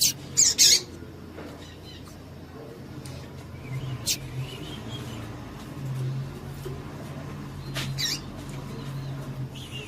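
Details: Female double-collared seedeater calling to excite a male into singing: a quick pair of sharp, high chirps near the start, then sparse single high notes, over a steady low hum.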